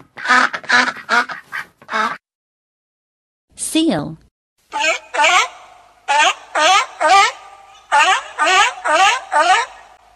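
A duck gives loud, nasal quacks in quick bursts, several in a row with short pauses between.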